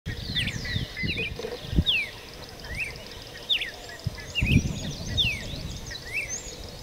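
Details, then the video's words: Several wild red-crested cardinals (Paroaria coronata): short, slurred whistled notes, mostly falling, in quick overlapping phrases, over low rumbling background noise and a faint steady hiss. "Canto del Cardenal Copete Rojo en Libertad"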